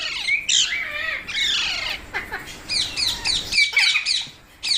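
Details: Pet parrot calling in a rapid series of harsh, high squawks and short chirps, some notes sliding down in pitch, roughly four calls a second with brief gaps, no other clear sounds.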